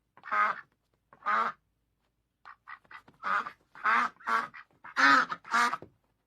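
A duck gives loud, harsh, nasal quacks, two spaced single calls, then a quicker run of broken quacks in close succession.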